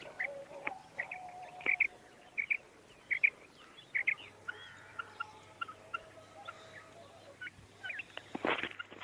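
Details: Female common quail (batair) calling; soft short paired notes repeated roughly every half second to second, fairly quiet, with a steady electrical hum and a brief clatter near the end.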